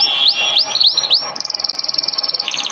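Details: Canary training song (masteran kenari): four loud rising-then-falling whistled swoops about a quarter second apart, then a fast pulsing high trill repeated roughly eight times a second.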